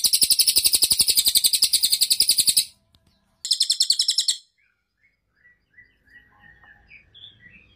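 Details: Cililin bird singing loudly, a shrill, rapid, buzzy trill that stops abruptly, then a second shorter burst, followed by quiet with faint distant chirps.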